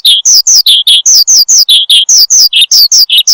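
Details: Branjangan (Horsfield's bushlark) singing prolifically for cage-bird training and luring: a quick, even string of high downward-sliding whistles alternating with lower chirps, roughly two and a half notes per second.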